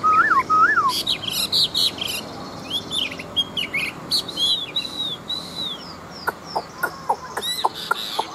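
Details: Chinese hwamei fighting bird, large and wild-caught with a forest voice, singing quick varied whistles and warbled phrases, followed by sharp clicking sounds near the end.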